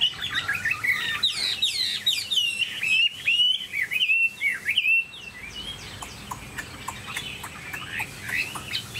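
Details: A tame, pure-bred Chinese hwamei pours out rapid, varied whistled phrases with sweeping slides and flourishes for about five seconds, then drops to quiet, sparse ticking and chipping notes.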